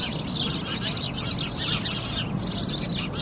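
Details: Sparrows chirping together: a dense, constant chorus of overlapping high chirps and cheeps from many birds, with a steady low rumble beneath.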